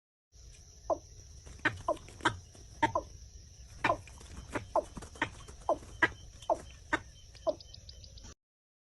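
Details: Watercock giving a series of hollow, resonant booming notes repeated about every half second, over a steady low hum and a constant high-pitched electronic tone.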